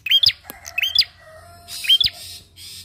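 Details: Bar-winged prinia singing as a lure for other birds: three bright, upward-swooping chirps with breathy noise after the last, and a faint trailing whistle under a low hum.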